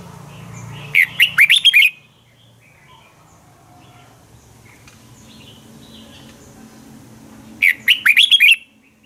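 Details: Red-whiskered bulbul morning fighting song for training birds: two bright bursts of four or five rapid warbled notes, about six seconds apart, with faint chirping and a low hum between.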